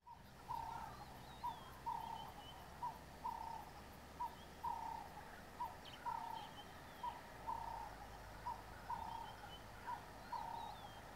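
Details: Burchell's coucal (Centropus burchellii) near Satara Rest Camp, Kruger National Park, gives a long series of hollow, low hoots, repeated steadily about every 0.7 seconds, with faint higher calls of other birds behind.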